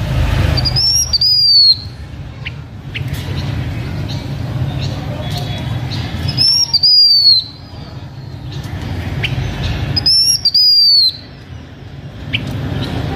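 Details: A blue-winged minla singing as a lure bird gives a high, thin slurred whistle, rising then falling, repeated three times about every four to five seconds, over a low rumbling background.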